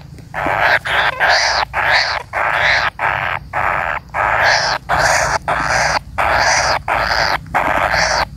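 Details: A waiting kingfisher chick repeats harsh, scratchy buzzing calls, roughly one burst every two-thirds of a second, steady and insistent over several seconds.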